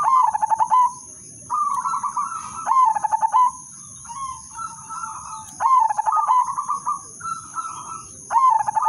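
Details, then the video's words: Repeated song of an udanmas silver zebra dove, used as a lure to get other doves singing: soft wavering coos, each followed by a loud rapid stuttering phrase, recurring roughly every one to two seconds. "perkutut/merbok udanmas silver irama merdu spesialis pancingan bikin semua perkutut ikut manggung"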